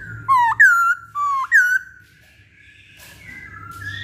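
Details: Masked laughingthrush lure song: four loud, pure whistles alternating between lower and higher pitches, followed by near silence with faint background noise.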